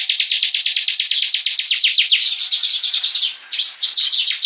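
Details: Bar-winged prinia, a hobby cage bird, delivering its 'gacor' song: rapid repeated high chirps dropping in pitch, then a brief dip and a run of looser, wavering notes.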